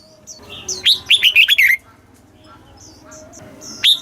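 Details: Thai caged red-whiskered bulbul giving a southern master-style song phrase meant to stimulate other caged birds and train young ones; rapid run of sweet whistled notes sliding downward, then quiet with a single clear note at the end.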